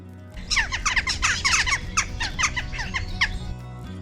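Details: Western Jackdaws, presented as Polish birds, give a rapid chorus of short, sharp, high-pitched 'chak' calls, several birds overlapping for about three seconds, over soft background music.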